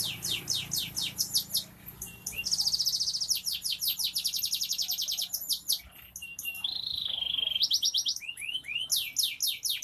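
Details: Canary of F2 stock singing busily as crowd therapy, high sweeping trills, a long dense buzzy roll and a wavering whistled phrase, sounding like several singers at once.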